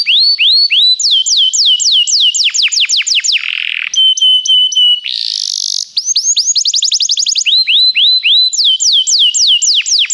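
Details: Loud canary song meant to encourage a caged canary to sing: series of sharply repeated downward-sweeping whistles, a steady held whistle, a brief harsh burst, then more rolling repeated slurs.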